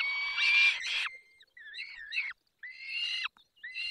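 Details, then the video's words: Barycz Valley, 20 May 2021, 10:22, peregrine falcon feeding: a rough, noisy burst, then bending, wavering whining notes and shorter harsh cries in quick succession. "Karmienie 10:22 Dolina Baryczy 20 05 2021 sokół wędrowny"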